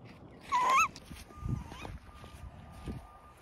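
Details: Captive tawny owl calling for food after flying exercise, not yet fed: one short, loud, rising screech lasting about a third of a second, followed by faint rustling and a thin, steady background tone.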